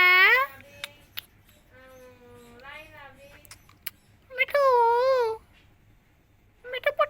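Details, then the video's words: Talking green parrot from India imitating Hindi words, giving scattered speech-like syllables, a softer drawn-out nasal phrase in the middle, then a loud wavering utterance near the end followed by brief chatter. "India Parrots sounds green parrots talking miya Mithu Hindi"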